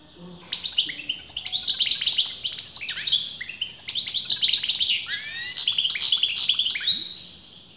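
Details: Goldfinch singing without break, a bird experienced breeders argued over as male or female: dense, tinkling twitter of sharp chips, buzzes and downslurred notes running almost the whole time, ending on a drawn whistle.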